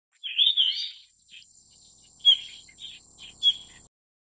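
Yellow-rumped Flycatcher giving a brief run of high, sweet chirps, then scattered single notes, over a faint steady high hiss.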